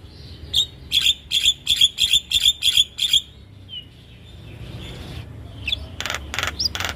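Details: Javan myna song for training caged birds, a run of about nine harsh, buzzy chirps at a brisk even pace, then a pause and a few loud rasping notes near the end.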